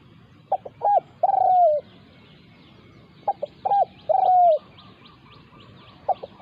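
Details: Spotted dove encounter between a decoy and a territorial wild bird. Two clear phrases of two short notes and a long, purring, descending coo, then the start of a third phrase. Soft background chirping.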